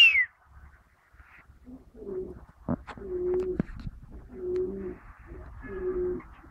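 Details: Peahen answering a person during a back-and-forth exchange. After a brief high sound at the start, low, throaty cooing notes come in an uneven series of half-second bursts, with a few soft clicks between them.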